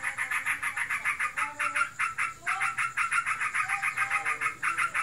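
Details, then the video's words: Kept sooty-headed bulbul, described as in breeding condition, chattering nonstop in the ngebren style: rapid, harsh, buzzy notes repeated about four times a second in a steady run, with a faint lower whistle in the background. "Burungku birahi. Ngebren abiss."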